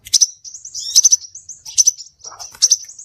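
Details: Lure calls of a scarlet minivet: thin high whistles linking bright double and triple notes, repeated a little more than once a second, with a short lower chatter near the end.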